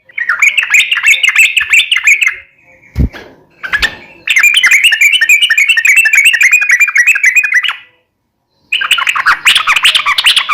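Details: Yellow-vented bulbul singing energetically, for daily training of caged bulbuls. Long runs of fast, chattery warbled notes with a brief sharp click and pause in between, then another dense, scratchy burst.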